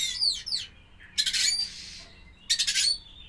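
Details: White-rumped shama in a pairing session with a bird presented as a champion, giving short bursts of sharp, high, buzzy song phrases, one at the start, one in the middle and one near the end, with quiet pauses between.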